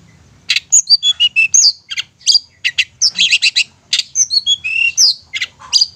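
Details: Long-tailed shrike song as a lure to get quiet shrikes singing and excited: a loud, varied stream of sharp clicks, chirps, rising and falling whistles and scratchy notes, delivered almost without pause.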